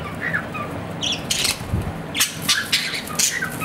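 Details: Pet budgerigar, an Australian parrot, giving a few short chirps and harsh broadband chatter bursts in scattered groups over a low background hum.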